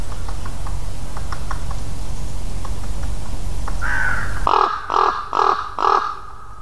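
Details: Ravens and a crow calling: faint short clicks and notes, then a drawn caw followed by four loud, evenly spaced harsh caws roughly every half second, with wind noise dropping away.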